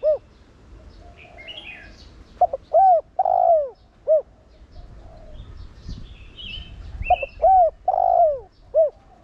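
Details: Decoy spotted dove cooing in the 'thổ đồng' voice to stimulate other doves. Two full phrases, each a stuttered start, a rising coo, a long falling coo and a short end note, with twittering birds in the background.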